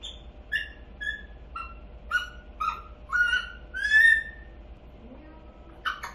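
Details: Baby grey parrot, eight months old and kept as a pet, chatters indoors: a quick series of short, bright, chirping squawks, roughly two per second, grows louder toward a drawn-out note, then fades into soft murmurs.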